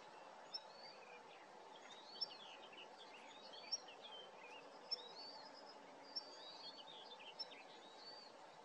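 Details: Whinchat (Saxicola rubetra) at Starene bird station in 2023 gives sharp, high ticks about every second, over a steady hiss and soft chirping from other birds.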